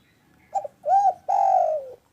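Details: Spotted dove, a frequent, loud-voiced caller, delivers a three-part coo: a soft broken opening note, a swelling arched coo, and a long sustained coo sliding slightly lower at its end. The phrase is close and clean.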